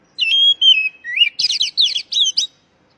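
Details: Oriental magpie-robin, a raw bird's lure call used to prompt stressed birds that have stopped singing: rapid sequence of clear whistled notes, then buzzy, chattering warbled phrases in quick bursts, clean and without background sound.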